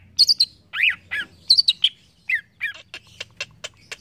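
A green leafbird sings a quick, varied run of high, sweet whistles and sliding chirps, ending in a fast string of sharp ticking notes.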